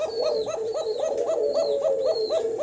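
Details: Male Kokah domestic pigeon, a caged bird on a farm, calling continuously without stopping: rapid repeated rolling coos, each with a quick upward hooked note, about four per second, steady and loud throughout.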